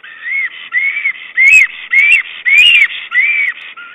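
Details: A male black stork at his nest calls his mate while arranging twigs and moss, on 22 April 2009: clear, arched whistles, about seven in four seconds, each rising then falling, with a few soft clicks and knocks between.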